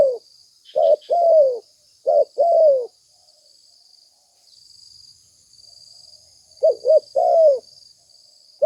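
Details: Lure recording of a spotted dove: two quick cooing phrases, a pause of several seconds, then another, each ending in a long falling note over a persistent insect trill.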